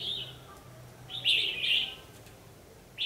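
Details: Trapping session on 14 December 2015 with a red-whiskered bulbul fighting song as lure: a brief note, a pause, then one sustained bright warbling phrase of nearly a second, and another note starting at the end.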